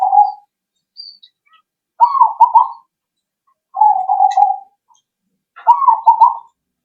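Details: Lure recording of a zebra dove meant to prompt answering birds; rolling, bubbling coo phrases alternate with smoother level coos, about one phrase every two seconds, clean and quiet between.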